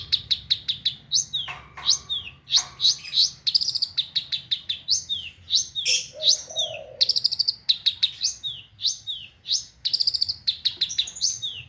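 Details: Long-tailed shrike song used as a lure to make shrikes that have stopped singing start again: dense, high, harsh chattering bursts and rapid ticking runs, varied and nearly continuous, with one short lower whistled note midway.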